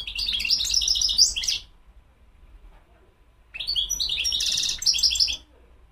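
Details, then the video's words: European goldfinch (mqnin) singing two quick bursts of high, tinkling twitters and buzzy trills, each about a second and a half long, separated by two seconds of quiet over a faint low hum. "تغريد الحسون مقنين"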